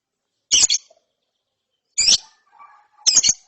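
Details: Lovebird chick after therapy giving its ngeriwik twitter: three harsh, high double-noted chirps about a second and a half apart, with faint softer notes between them.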